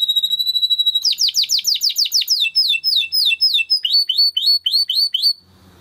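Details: Timbrado canary singing for training: a steady, high, held whistle, then a quick string of sharp, falling, slurred notes, about three per second, that gradually loosens and fades.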